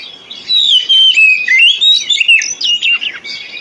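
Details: Oriental magpie-robin song used to encourage reluctant birds to sing. Rapid, varied whistles slide up and down in loud, choppy phrases with short breaks, ending in quick chirps.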